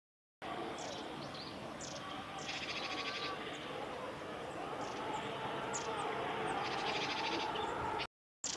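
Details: Long-tailed tits at Kanigaya Park, filmed 10 November 2019, give thin, high see notes and two stretches of buzzy, rattling churring over steady background rumble.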